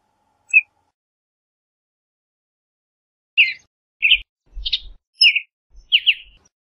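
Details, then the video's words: Western bluebird singing and calling: a lone soft note, then after a pause a run of short burry chirps and warbled phrases in quick succession, each brief and mid-high, against silence. "Western Bluebird Song, Western Bluebird Call! Sound! - Azulejo Garganta Azul Canto - Sialia Mexicana"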